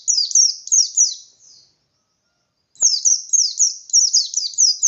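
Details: White-eye in bold 'ngalas' song meant to make other white-eyes answer: a run of high descending chirps fading out, about a second of silence, then a longer fast series of sharp sweeping notes.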